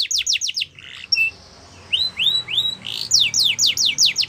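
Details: Yorkshire canary singing for song training: quick falling notes, a soft buzzy passage, a few rising upslurs, then another run of sharp descending whistles.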